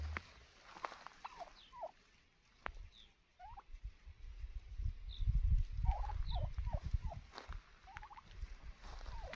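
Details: Scattered short, downward-sliding yelps from a wild turkey, then a tighter cluster of similar notes. Low rumbling and thudding fills the lower register.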